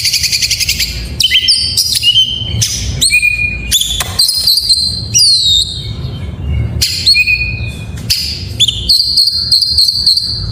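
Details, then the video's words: Oriental magpie-robin delivering a full song of varied phrases used to prompt sluggish magpie-robins to sing: strings of sharp clicks and whistles, gliding downward slurs, and a closing run of quick high repeated notes. "Suara masteran burung Kacer || pancingan KACER full isian"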